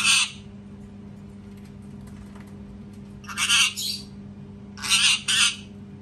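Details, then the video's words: Parrot screaming loudly: a harsh, broadband squawk at the start, then two paired raspy screams about three and five seconds in, over a steady low electrical hum. "PARROT SCREAMING TOO LOUD | PARROT SCREAMING SOUNDS"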